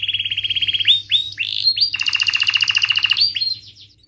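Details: Singing canary, sharp cuit-cuit rolling song to coax young birds into learning: a rapid roll breaks into rising swooped notes, then a long dense buzzy trill with high overtones before fading, over a soft low hum.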